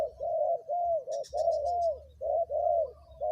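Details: Spotted dove kept as a ground decoy bird, calling at its third spot: a series of soft, low hooting coos in short phrases, each note slightly arched and fading. A few faint high chirps from other birds sound in the background.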